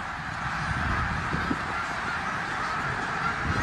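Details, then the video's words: Short burst of a huge snow goose flock migrating through eastern Pennsylvania in January 2021: thick, overlapping nasal honks with no pause, a few louder calls standing out briefly. "Thousands of Snow Geese Migrate through Bath, Pa., Jan 2021"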